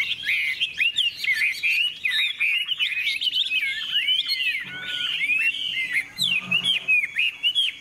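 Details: Competitive Hwamei song from a bright yellow, big-tailed bird that plays its wings, a rapid jumble of looping whistles and chattering notes, briefly dipping into a softer, rougher passage before the loud whistling returns.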